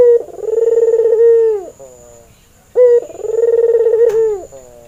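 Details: Red-eyed albino Barbary dove, a male in breeding condition, used as a lure for training. Two long coos about three seconds apart, each a buzzing, rolling hum after a quick opening note. A brief click is heard once.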